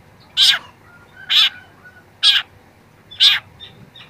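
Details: Young long-tailed shrike on a training recording giving four loud, harsh, rasping notes, each spaced about a second apart, with a few faint soft notes after the last one.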